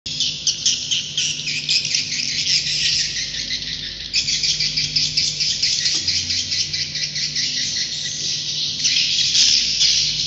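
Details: Swiftlet roosting call: a dense, continuous mass of high, buzzy chattering and twittering from many birds, with a steady low hum underneath.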